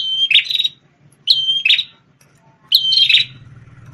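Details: Champion red-headed prenjak tamu, a prinia formerly used as a song tutor for white-rumped shamas, sings three quick phrases, each a high steady whistle melting into a rasping buzz, spaced about 1.3 seconds apart.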